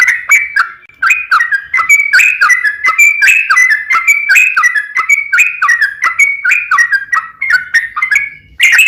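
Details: Yellow-vented bulbul song meant to lure other bulbuls into singing: a steady flow of bubbly, whistled notes sliding up and down, phrases repeated roughly twice a second, ending with a brief buzzy burst.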